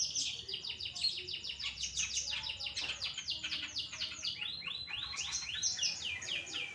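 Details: Pastol-type long-tailed shrike in full song, recorded as a master for tutoring cage birds: a dense, rapid stream of high, sharply descending whistled notes that tumble one after another with barely a pause.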